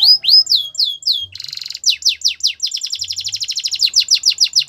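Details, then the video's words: Belgian canary singing: slurred falling whistles, a brief buzzy roll, then a quickening series of sharp repeated notes forming a rattling trill. "Melodies canary bird song | Belgian canary singing"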